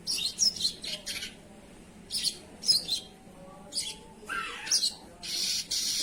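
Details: Actively singing sogon (gacor) giving clusters of high, hissing, buzzy chirps separated by short pauses, with one lower sweeping note near the end.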